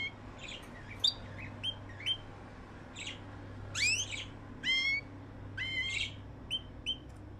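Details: Several caged canaries in Erbil, Iraqi Kurdistan, give scattered bright chirps and short buzzy trills. The notes come irregularly, roughly once a second, over a steady low electrical hum.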